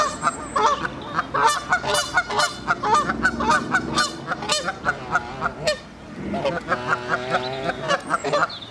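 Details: Moulting Canada geese on the South Pond in Midhurst, West Sussex, England, honking continuously as a group: dense, overlapping nasal honks with rich harmonics, several per second, with a brief lull near six seconds before the calling resumes.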